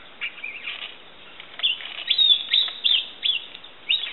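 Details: Common green magpie filmed at Fraser's Hill: a run of short, bright chirps and slurred whistles, some rising and some falling, given in quick irregular bursts over faint background hiss.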